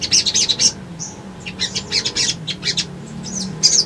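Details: Brown-throated sunbird song played to make birds respond: repeated short bursts of high, bright chirping with a brief clear whistle, evenly spaced, over a low background hum.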